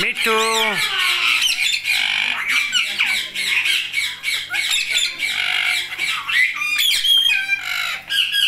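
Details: Indian ringneck parakeet talking: a dense run of raspy, chattering speech-like syllables and squawks, with a faint low hum behind.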